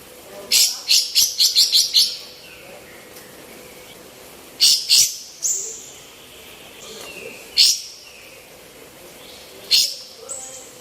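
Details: Female olive-winged bulbul, used as a master recording for training other birds: bursts of harsh, high chattering notes, a quick run of six at the start, then scattered pairs and single notes separated by pauses.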